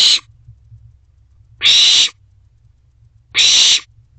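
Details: At a night owl box, an owlet feeds on a rodent brought by its mother; three loud, rasping hiss-screeches, each about half a second, spaced around 1.6 seconds apart over a faint low hum.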